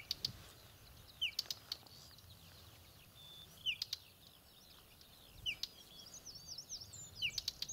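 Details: Whinchat on Exmoor: a short downslurred whistle with hard ticks, heard four times at intervals of about two seconds, mixed with busy high twittering song from other birds.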